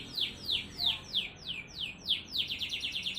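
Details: Canary of the AF type singing a fast, dense song used to coax lazy canaries into song; clear falling whistled slurs, about three per second, ending in a quicker run of rapid notes.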